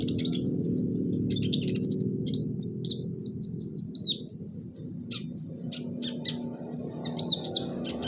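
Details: Song of a caged kolibri ninja sunbird, used to get a lazy bird singing: varied high whistled slurs, a quick series of descending chirps, and scattered sharp notes over a low hum.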